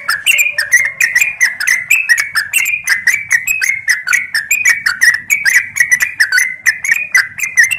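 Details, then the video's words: Yellow-vented bulbul, locally trucuk, from Klaten, in a busy ropel lure track: an unbroken stream of quick, sharp, chattering chirps, several per second, wavering up and down in pitch, with a faint low hum beneath. "Ropel Gacor Pancingan Burung Trucuk"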